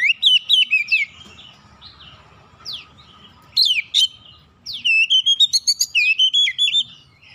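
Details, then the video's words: Lure song of a magpie-robin meant to set other birds singing: bursts of rapid varied whistles and sharp down-slurred notes, a quiet gap, then a dense run of repeated bright syllables near the end. "KACER LAIN LANGSUNG RESPON GACOR SEKALI PANCING"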